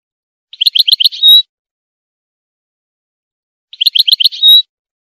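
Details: Female European goldfinch singing during the breeding season, a song said to spur males to sing and mate; two identical short phrases about three seconds apart, each a quick run of buzzy chirps ending in a drawn-out high whistle, in silence.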